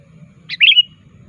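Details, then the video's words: One sooty-headed bulbul call used as a lure, the bird calling to a rival: a brief sharp note running into a bright slurred warble that trails off, over faint low background hum. "Suara Burung Kutilang Gacor Aktif Memanggil Lawan"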